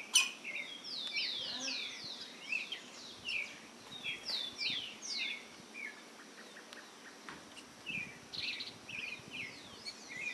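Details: Campo flickers at a rural property near the Itajaí river headwaters, Itaiópolis, Santa Catarina, Brazil, give high, slurred whistled notes in quick overlapping bursts, each sweeping sharply in pitch, with soft background hiss.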